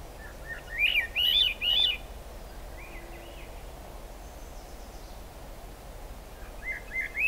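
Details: Swainson's thrush, Squamish River Estuary, July 6, 2022, in rain: an ascending spiral of liquid whistles rising in steps, a soft distant phrase after, then another rising song starting near the end; rain hiss throughout.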